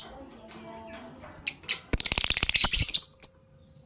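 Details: Morning sound of Fischer's lovebirds in PB Violet and Euwing Gold Opaline colours: a fast rattling chatter of rapid clicks and squeaks lasting about a second, then one sharp chirp.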